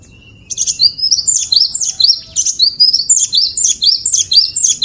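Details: Cinereous tit (glatik batu or wingko) master song for teaching other birds. After a brief thin whistle, it gives a fast, rhythmic string of two-part, high, ringing phrases, about four per second, evenly repeated.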